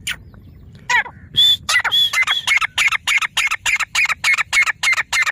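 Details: Grey francolin, known locally as teeter, at Layyah in Punjab: a fast series of loud, harsh, clipped notes repeated about three times a second, opening with a few rougher and higher notes and growing steadily more even.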